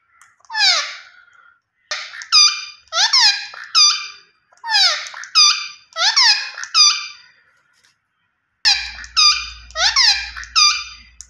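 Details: Green ringneck parrot screeching in rough clusters of harsh, ringing squawks separated by short silences. Descending shrieks mix with clipped level notes. A low hum enters near the end.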